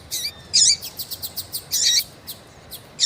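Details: Female double-collared seedeater in breeding condition calling insistently for a male; loud buzzy high chirps alternate with a quick even series of thin ticks.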